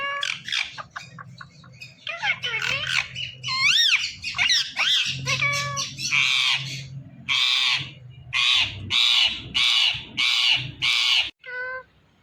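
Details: Indian ringneck parakeet, presented as a talking parrot. Bursts of harsh squawks mix with whistled, bending notes and broad chattering syllables. Several evenly spaced loud rasping blasts follow near the end, and a steady low hum runs underneath.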